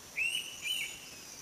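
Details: Indian pitta giving a clear two-note whistled call: a rising first whistle, then a second, slightly lower whistle about half a second later, set against a steady high-pitched insect hiss.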